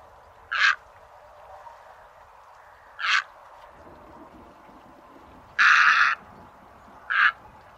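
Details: White egret, recorded as a lure for bird trapping: four short harsh croaks spaced irregularly over a few seconds, the third longer and louder, with low background hiss throughout.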